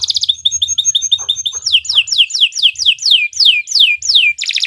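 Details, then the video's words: Canary song recorded to train other birds: a quick high twittering trill, then a series of loud downslurred whistles roughly three per second, ending in a buzzy trill. "Kicau Burung Kenari II GACOR PANJANG Cocok untuk Masteran"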